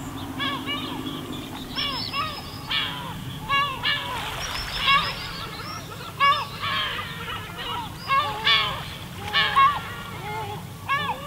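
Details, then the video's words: Several gulls on the pebble beach of Spiaggia Paolina, Elba, Italy, trade frequent harsh, arched cries, some in quick stuttering runs, about every second or two, while waves rumble softly underneath. "Gabbiani suono rilassante"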